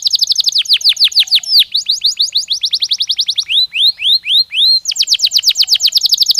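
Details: Canary in song for breeding-season preparation, delivering rapid repeated descending high notes in long trills, broken midway by a few slower rising whistled notes before the fast trill resumes.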